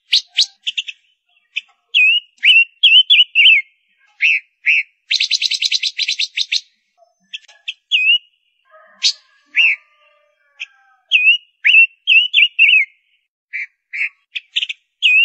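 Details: Singing female ngũ sắc bird, a lure bird: lively phrases mixing slurred whistles, short chips and a dense buzzy rattle, repeated with brief pauses throughout, with a few faint lower tones in the background.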